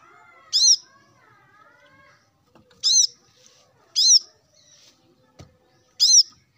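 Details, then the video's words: Male plain-throated sunbird in the morning, calling rivals: four short, high, arched slurred notes spaced one to two seconds apart, with faint wavering lower tones early on. "kolibri kelapa manapun pasti ikut nyaut dengar suara ini"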